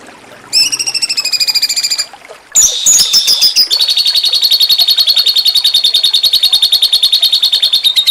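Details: Cucak cungkok with the jengking munting song used to train contest songbirds: a sharp harmonic trill, a short break, then a long steady rapid rattling trill of evenly spaced pulses.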